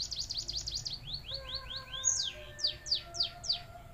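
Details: A white-headed munia mimicking a canary's song: a rapid run of high, falling whistled sweeps, then louder, slower downslurred notes, over faint steady tones.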